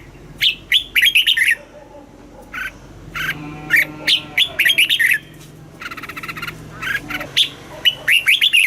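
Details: Caged red-whiskered bulbul singing the southern master style, played to rouse caged birds and teach chicks; dense series of bright warbled and whistled phrases, nearly continuous, with faint low hum beneath.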